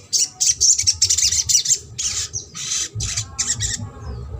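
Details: Trotol-style sogok ontong song, used to stir a silent bird into singing: bursts of shrill, rapid, high-pitched chattering separated by short pauses, with a faint low hum beneath.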